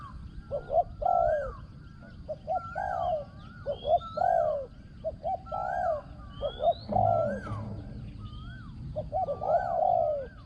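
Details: Spotted dove kept as a ground-decoy bird, praised for a small ringing voice and fine coo phrasing; repeated coo phrases come about every two seconds, with clipped lead-in notes, and thin rising whistles from other birds sound in the background.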